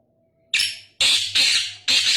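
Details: Harsh, raspy Black francolin (Sindhi kala tetar) call of four strident notes, the opening one clipped and the rest longer, evenly spaced over a low background hum.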